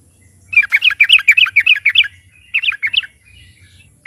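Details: Yellow-vented bulbul singing loudly as a lure for other birds: a quick string of bubbly, looping whistled notes, a short pause, then a few more, on a quiet background.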